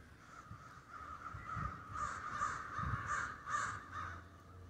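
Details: Roosting crows in snowy Denver call in a run of hoarse caws that grow louder in the middle. A faint low hum sits in the background.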